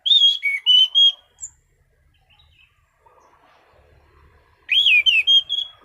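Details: Orange-sided thrush, steady relaxed 'ngeplong' song: a burst of clear whistled notes, a quiet gap with soft background twitters and a low rumble, then another loud warbling whistled phrase.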